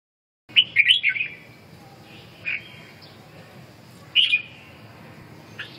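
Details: Red-whiskered bulbul singing a quick run of bright, slurred whistled notes, then two short isolated chirps after pauses, over quiet low background hiss.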